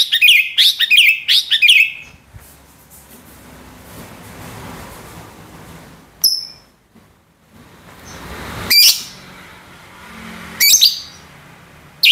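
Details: Female greater green leafbird giving the ngentrok call: a burst of harsh, rapid chattering notes at the start, then scattered short sharp chips separated by quieter stretches with low room noise.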